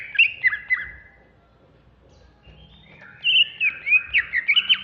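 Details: Greater green leafbird, Banyuwangi type, singing ngentrok in an agitated mood: a short burst of slurred whistled notes, a two-second pause, then a rapid series of bright, twisting chirps repeated about twice a second.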